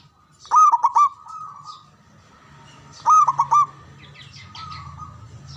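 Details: Zebra dove from Java, known for a big, loud voice, singing to call rivals to reply; two clipped, stuttered phrases of fast ringing notes a few seconds apart, with a faint low hum behind.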